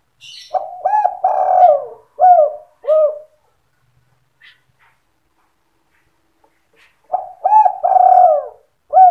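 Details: Spotted dove, a lure recording in the gacor sandung kuk style meant to draw other doves to respond, giving soft, hollow, rhythmic coos in short phrases, then a pause before the cooing resumes; otherwise quiet.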